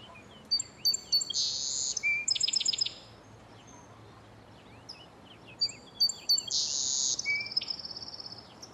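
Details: A Song Sparrow recorded in Los Padres National Forest, California, sings the same song twice: a few crisp opening notes, then a bright buzzy burst and a quick dry trill, high-pitched, over faint hiss.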